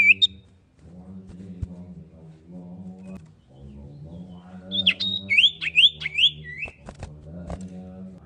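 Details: A common iora, a female calling the male, gives a short burst of four quick upslurred whistles near the middle, with a few clicks afterward, against a steady low droning hum.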